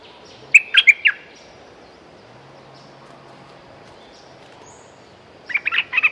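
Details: Two short bursts of bright, clipped chirping notes from a Streak-eared bulbul, four notes first, then a second quick cluster after a long quiet gap. A low hum runs underneath.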